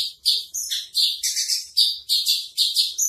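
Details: Javan bush lark, local style 'branjangan trotol', in a tutor recording: a rapid run of harsh, buzzy, high chirps packed closely together with hardly any pause, some notes dipping slightly lower, sharp and raspy throughout.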